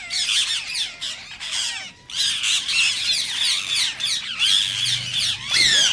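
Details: Green ringed parakeet screeching, played to stimulate singing and mating in other parakeets: continuous harsh, buzzy squawking with a short pause midway and a loud rising shriek near the close.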